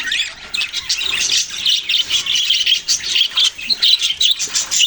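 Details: Budgerigar chatter of quick high chirps, starting softly, then growing into rhythmic bursts of squeaky warbling notes repeated in short pulses.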